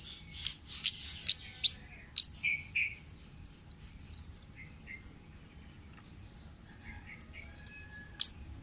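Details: Wild orange-headed thrush, used as a lure recording: mixed chips and lower notes, then a fast run of clear high whistled notes in even succession, a pause, and another similar run.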